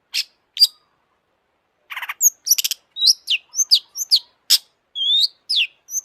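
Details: Long-tailed shrike singing with high excitement, used to trigger song in other shrikes. After a few isolated chirps and a short raspy burst, it delivers a run of bright whistled slurs and rising and falling chirps.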